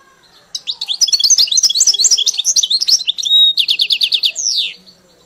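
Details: Caged goldfinch tutored on a hybrid's "Mili" song. A long, fast twittering sequence leads to a short pure whistle, then a quick run of repeated chirps, ending with a descending buzzy slur.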